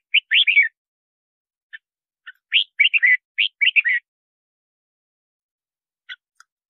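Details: Bulbul singing to call in wild birds for trapping and to coach caged singers: bright, bubbly whistled phrases of rising and falling notes in two rapid clusters, then a few scattered single chirps. No other sounds.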